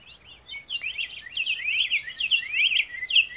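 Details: A Black-faced Tanager (Schistochlamys melanopis) from Brazil sings a fast, jumbled run of bright warbled notes, rising and falling without a pause, over a thin steady high insect hum.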